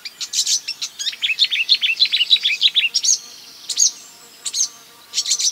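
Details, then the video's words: Marsh warbler (Acrocephalus palustris) imitating other birds: a fast, varied stream of short high chirps, trills and whistled notes, many brief phrases borrowed from other species, with short pauses near the end. "A marsh warbler (Acrocephalus palustris) imitating other birds"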